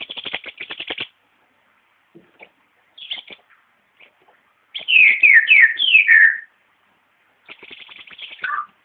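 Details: Green-headed tanager alternating thin buzzy rattles with a loud sequence of about five sweeping, downslurred notes, then a final rattle dropping lower in pitch; quiet background.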